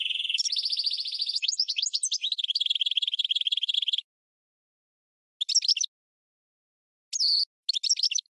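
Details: Song of a goldfinch and red canary hybrid offered as training tutor: high buzzy and trilled phrases for four seconds, then silence broken by short twittering bursts.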